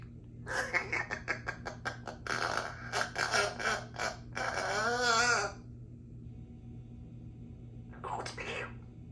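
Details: A 3-year-old female Congo African grey parrot talks indoors: a quick run of human-like syllables, then a wavering whistled phrase and one short call after a pause, over a low room hum.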